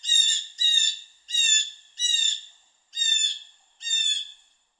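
A Blue Jay gives six harsh, nasal 'jay' screams, each about half a second long and spaced roughly a second apart, with no other sounds behind them.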